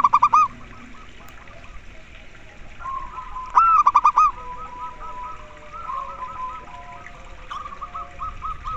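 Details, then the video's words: Local zebra doves in koar koar singing meant to coax other doves to start calling: short fast bursts of ringing hooked coos, with further doves cooing softly at lower and higher pitches in between. "perkutut lokal terapi koar koar agar cepat manggung"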